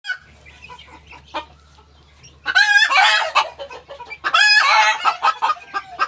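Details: Ko Shamo hen making noise: after a quiet start with low hum, loud, raspy squawking cackles break out in two long noisy bursts.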